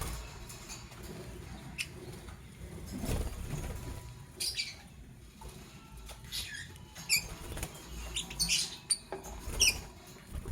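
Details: Lovebirds, a green Fischer's and a pastel blue, chirping in the morning: short, sharp high chirps in scattered bursts, clustering in the second half, over cage rustling and a low background rumble.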